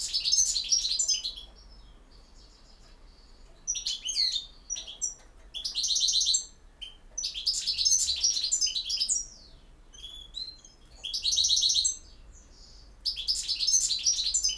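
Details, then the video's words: European goldfinch in campero-style song, delivering rapid, high, jangling twittering phrases with liquid trills and chips, in about six bursts broken by brief gaps. "El Jilguero BiH 21"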